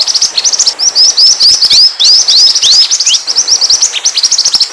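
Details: High, energetic twittering from a pied triller, a song used for luring other birds: fast chirps interwoven with several sweeping arched whistles, steady and loud from start to end.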